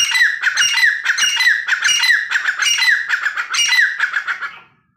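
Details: Male and female black francolin of a pair giving loud, harsh, rasping calls, rapid notes rattled out in quick uneven bursts for several seconds before the calling stops abruptly.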